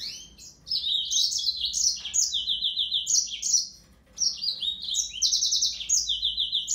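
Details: Yellow-fronted canary delivering two extended runs of sweet, high, fast-changing notes with rattling trills and stepped descending phrases, broken by a brief pause; low hum in the background.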